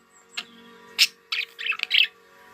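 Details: Budgerigars in July, in summer: a few scattered short chirps, then a dense burst of bright, rough chirps and squawks packed close together near the end.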